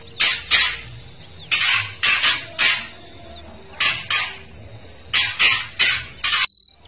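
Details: Kretekan of a spotted young female white-rumped shama, used to rouse males into anger and full song: harsh scratchy rasps in irregular clusters of two or three, separated by brief gaps, with faint thin whistles between.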